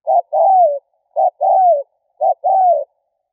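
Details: Decoy call of a spotted dove: a steady pattern of a short low coo plus a long, drawn-out, falling coo, given three times about once a second.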